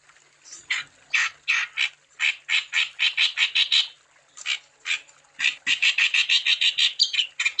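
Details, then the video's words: Wambi bird singing energetically to prompt other wambi into song: strings of rapid, raspy, buzzy chirps, about three per second, arriving in phrases separated by short gaps. "Burung Wambi Gacor Untuk Umpan Supaya Wambi Anda Tambah Gacor"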